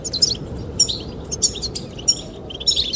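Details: Goldfinches singing to attract the female: short, bright, chirping phrases break out irregularly over a constant background of wind noise.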